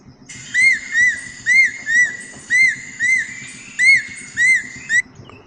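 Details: A Great-billed Kingfisher on Sulawesi gives a run of about nine loud, arched whistles, each rising then falling, about half a second apart, over a low hum; said to closely resemble the Stork-billed Kingfisher's call.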